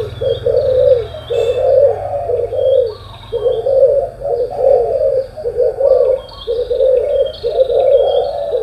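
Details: Morning chorus of spotted dove coos: short, blurred, hoarse notes pulse roughly once a second, with clear high whistled calls from another bird and a faint low hum.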